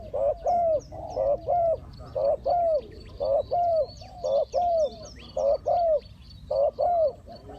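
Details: A decoy spotted dove calls to draw wild doves toward a trap. Paired soft coos, a brief note then a longer downslurred croo, repeat steadily about once a second, with faint chirps higher up.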